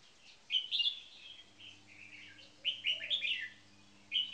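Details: Red-whiskered bulbuls kept in cages, a marathon frequency singing bird and a newcomer: two clear bouts of liquid, rolling whistled phrases, the second longer and jumbled, over a quiet low hum and a faint soft coo.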